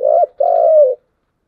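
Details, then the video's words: Spotted dove cooing in the 'giọng đồng' voice style: a short mellow coo, a brief break, then a longer smooth sustained note that slides slightly downward, in a quiet setting. "Cu gáy giọng đồng"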